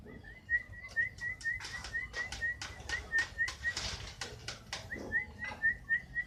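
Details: Kenari fighter canary repeating short bright whistles in a steady chain, with clattering and flapping sounds scattered throughout.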